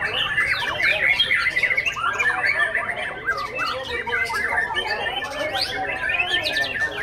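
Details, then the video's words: Young Oriental magpie-robin in action, giving a busy stream of varied chattering and squawky notes mixed with quick rising whistles, with voices and other birds murmuring underneath. "aksi murai junior"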